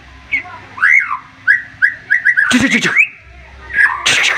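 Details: Agitated white-rumped shama giving its sharp 'tembakan' burst song, said to stir a rival into answering: clear whistled notes rising and falling, a quick run of short chirps, then harsh broadband bursts and another rising whistle.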